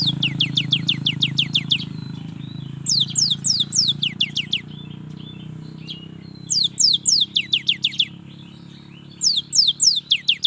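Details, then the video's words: Young cinereous tit in steady full song: four bursts of fast, high downslurred notes, each run about a second and a half long, over a low steady hum. "SUARA yang PALING DI SUKAI BURUNG GELATIK"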